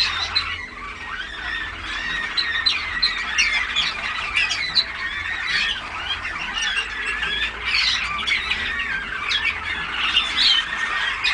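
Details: Young Malinois Waterslager canaries sing continuous, overlapping rolling trills and bubbling, water-like notes.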